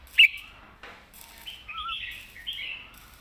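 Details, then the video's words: Competition red-whiskered bulbul in a cage delivers master-song phrases: a sharp opening note, then softer gliding, warbled whistles that rise and fall over a few seconds. "ใส่เต็มทุกดอก"แกนเสียงหนา เพลงแม่บท/นกแข่ง"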